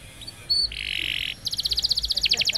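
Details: Canary song for training young canaries: a short whistle, a buzzy sustained trill, then a rapid high-pitched chattering series of pulsed notes.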